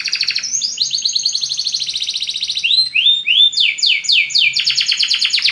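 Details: Belgian canary song, played to stimulate other birds: bright high rolling tours of rapidly repeated notes, shifting into quick upward-sweeping whistled syllables, then another fast trill.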